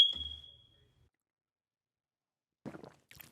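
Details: A single high electronic ping fades away, followed by silence and brief rustling, with no animal sound.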